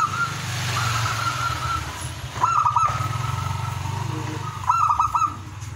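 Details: Zebra dove singing in the lively 'ngowar' style, meant to raise breeding desire in other zebra doves: two short bursts of rapid, trilled cooing notes, with long steady hum between. Low rumbling engine-like drone throughout.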